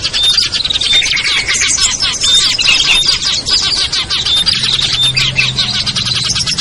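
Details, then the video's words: Lure mix of small birds (ciblek, kutilang, trucuk, sogon, perenjak) aimed at birds slow to come down; sharp whistled notes and squawky chirps from many birds, with a faint low hum in the second half. "SUARA PIKAT BURUNG KECIL burcil AMPUH"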